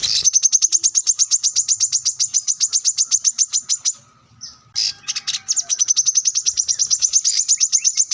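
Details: Plain-throated sunbird in lively song while seeking an opponent, used as a master for young birds: a long, fast, even train of piercing high chips, briefly paused by a soft click, then resumed at the same pace.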